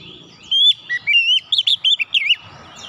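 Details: Lure song of an oriental magpie-robin, aimed at getting untrained birds to sing fast: a rich, clear whistle leads into a quick series of short, bouncing notes, about eight in under two seconds.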